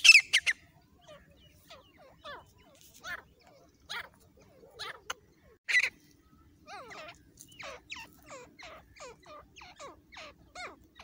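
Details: Partridge calling as a hunting lure in jungle: a few loud opening notes, then softer, evenly spaced downward-curving notes over a steady low hum.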